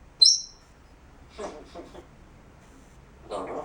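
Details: Pet grey parrot showing part of its repertoire indoors: one sharp, high whistled note near the start, then a few soft, short, raspy bursts and a longer breathy noise at the end.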